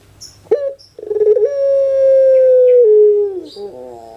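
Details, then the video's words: Kept puter pelung from Indonesia in a coo concert: a short sharp opening note, then a long even tone lasting about two seconds, gliding lower at its close and followed by a rougher, lower burst; high twitters nearby. "KONSER ANGGUNGAN PUTER PELUNG"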